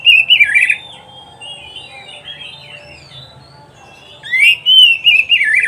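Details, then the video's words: Oriental magpie-robin singing for training pet birds: loud warbled phrase, a stretch of soft distant whistles, then a fresh burst of clear, rising and falling whistled notes. "SUARA KICAUAN BURUNG KACER TERBAIK, PART 94 - MASTERAN KACER - KACER GACOR - PANCINGAN KACER"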